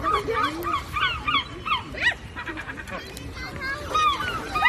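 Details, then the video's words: A flock of seagulls in flight over the ocean, many overlapping harsh, wailing and mewing cries jumbled together, some rising then falling, over a constant soft wash of sea noise. "Seagull Sounds"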